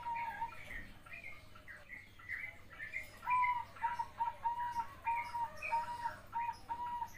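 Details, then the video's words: A young zebra dove sings a run of soft, rolling coos on one steady pitch, about two per second, while other small birds chirp in the background. "perkutut anakan katuranggan bersuara merdu"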